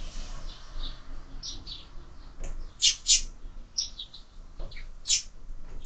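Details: Sparrows at a window-mounted feeder, giving short high chirps scattered irregularly over a hissing background, with a few louder bursts near the middle and end.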